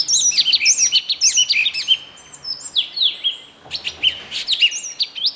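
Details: Yellow tit recorded with a Canon EOS 7D: rapid series of high, thin chirps and slurred whistled notes, some rising then dropping, delivered in quick bursts with a brief pause midway.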